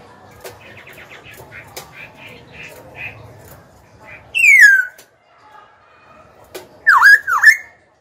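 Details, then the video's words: Black-throated laughingthrush, a young cage bird singing to challenge rivals and train young birds: soft chattering at first, then a loud descending whistle and a loud rising, wavering whistled phrase. "KHiếu tơ hót dìu bổi cực hay. Khiếu hót hay kích bổi đấu, luyện giọng bổi, chim non."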